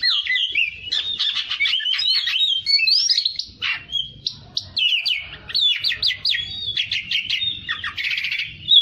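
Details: Oriental magpie-robin (kacer) delivering masteran song: a varied whistled sequence of sweeping notes, staccato chips and a buzzy rattle near the end, set against a quiet background.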